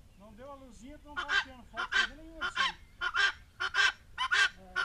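Harsh, grating helmeted guineafowl cries repeat in a rhythmic chant, about two per second, opening over softer wavering, nasal notes.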